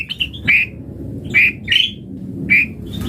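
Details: White-rumped shama, played as a lure to stimulate other birds to sing: short, sharp, mid-high chirps come in spaced pairs and singles over a low background hum.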